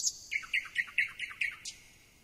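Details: Thrush nightingale song: a high thin note, then a run of seven rich, slurred notes repeated about every fifth of a second, fading at the end.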